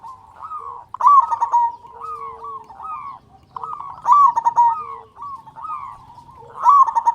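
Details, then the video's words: Local zebra dove (perkutut) with a big, strong voice, singing to lure and stimulate other doves into calling. Warbling, rolling coo phrases repeat about every three seconds, each opening with a bright trill and trailing into a lower steady tone. "Perkutut Lokal Gacor Suara Besar Pancingan Burung Perkutut Agar Cepat Bunyi"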